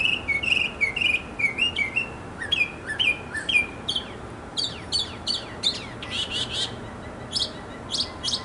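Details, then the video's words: Male mockingbird singing in a backyard for several minutes to win a female: a fast string of varied phrases, clear down-slurred notes repeated in pairs, then chattery buzzes and harsh chips, each phrase changing every second or so. "Mocking Bird 200 Sounds to Get the Girl!"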